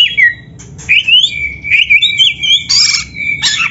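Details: Captive Oriental magpie-robin song used as training to stimulate other birds to sing: loud varied whistles and rising slurred notes, a sustained flat whistle, then harsh buzzy bursts.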